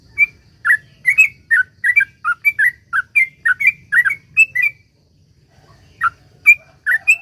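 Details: Sooty-headed bulbul, 'ropel panjang' lure song for drawing other bulbuls into song: a dense run of chirpy, warbled notes for nearly five seconds, a short pause, then a few more bright whistled phrases.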